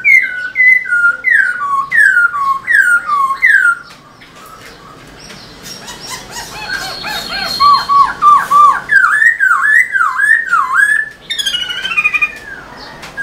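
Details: Black-throated laughingthrush in animated tail-dancing song, intended to set caged birds singing: repeated falling-rising whistled loops, a chattering interlude, then deep swooping whistles and a high twittering finish.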